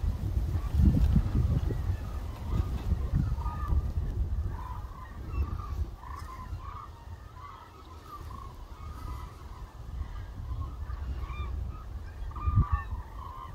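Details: Large flock of hooded cranes filling a rice paddy at Suncheon Bay, migratory birds: many overlapping mid-pitched bugling calls, continuous and irregular, over heavy low rumble and wind.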